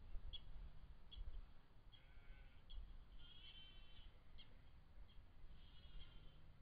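A startled Mallard gives a string of short, nasal, reedy calls, some drawn out, over a steady low rumble of background noise.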